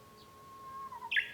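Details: A Japanese bush warbler heard from a home room on 5 May 2013 holds a flat whistle for about a second, dips slightly, then ends in a sudden loud high flourish.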